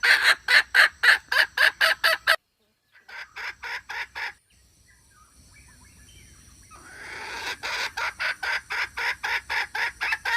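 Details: Decoy recording of a hen calling: a quick train of loud, rasping cackle notes, a sudden break with softer scattered notes, then the repeated harsh calling rises again.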